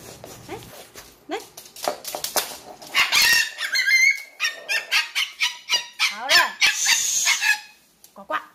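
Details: A 7-month-old female blue-eyed cockatoo hybrid, after eating grapes, suddenly goes wild with loud, harsh, raspy screeches and squawks in excited runs and softer chattering mutters, ignoring a person's shushing voice in between.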